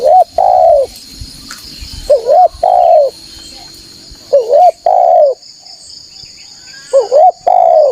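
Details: Spotted dove cooing loudly, played as a lure for wild doves: three repeated phrases, each a quick broken double coo followed by a longer drawn-out coo, about every two and a half seconds, over a steady high whine.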